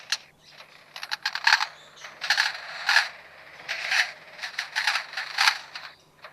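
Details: Male Superb Lyrebird at Adelaide Zoo mimicking nearby construction work (hammer, chainsaw, drill, saw and similar): clattering, clicking and ratchet-like bursts with metallic ringing tones, in irregular clusters about every second.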